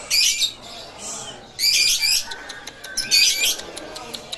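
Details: Caged lovebird singing loudly at the bird market in Panji, Situbondo. Three bursts of harsh, high, rapid chattering trills, each about half a second long, separated by pauses with scattered sharp clicks.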